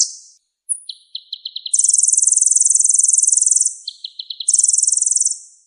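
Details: Kolibri ninja sunbird with a full song repertoire for tutoring other birds: short stuttering note clusters that lead into long, dense, very high buzzing trills, repeated twice.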